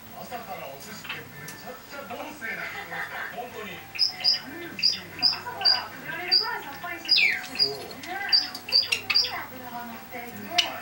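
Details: Seven pet Java sparrows let out of their cage at 6 a.m. in June 2009, lively in the morning. After about four seconds come sharp, high chirps, often in quick pairs, with a downward slur midway. Low muffled indoor sounds come before them.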